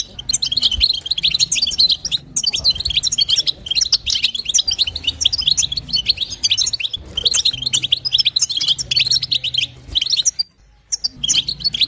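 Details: Long run of female European goldfinch calls meant to stimulate the male, sastasa and batbata chatter of sharp high twittering bursts with several brief gaps and one clear pause near the end.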